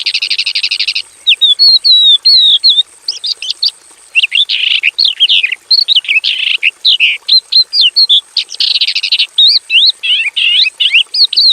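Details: Javan bush lark sings a full, varied song in a simple aviary. Buzzy trilled bursts alternate with dense jumbles of fast twisting whistles and chirps, continuous for over ten seconds.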